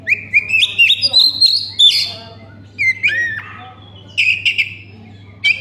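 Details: Oriental magpie-robin lure song to make other magpie-robins sing: a chain of rising whistled notes climbing in pitch, then scattered slurred whistles and buzzy notes after pauses, over a low mechanical hum.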